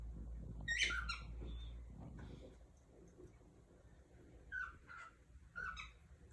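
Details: Cockatiel (calopsita) in Brazil, indoors: a loud harsh harmonic squawk near one second, then three short rising-falling chirps spaced about half a second to a second apart, over low room hum.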